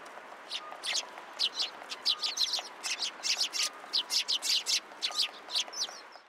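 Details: Sparrows gathering at a post to be given food at a Tenmangu shrine, 20 February 2023: many soft, scattered chirps and twittering notes overlapping at a distance.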